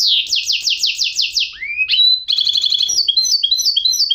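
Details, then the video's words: Goldfinch mule in full song: a string of quick falling sweeps, two slurred upward whistles, then a jingling twitter of high, paired metallic notes repeated briskly. "chant mulet de chardonneret"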